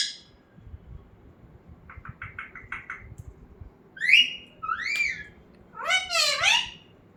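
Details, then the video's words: Pet talking parrot in a small room, producing a rapid series of short chirps, then two swooping whistles and a longer wavering, bending cry. "Talking parrot"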